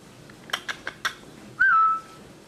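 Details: Pet parrot making strange noises: a few short clicky taps, then one loud, steady whistled note held for about a third of a second. A quiet indoor room.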